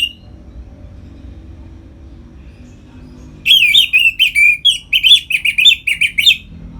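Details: Gacor ngeplong song of an orange-headed thrush, played to stimulate birds into breeding condition: silence with faint hum, then a sudden three-second stream of rapid, choppy warbled notes, about a dozen in quick succession.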